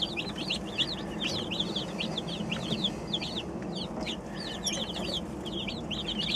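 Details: Twenty-seven baby chickens, newly arrived that day, peeping constantly together: a dense stream of high, rising cheeps overlapping one another, over a steady background rumble.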